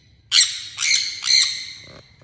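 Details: A sun conure, listed as Guaruba guarouba, gives three loud, harsh, high-pitched screeches in quick succession.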